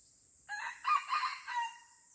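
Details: Wild red junglefowl in the forest of Lamteuba, Aceh, during a bloody fight: a short crow of several harsh, broken bursts ending in a drawn-out note, over a steady high insect hiss.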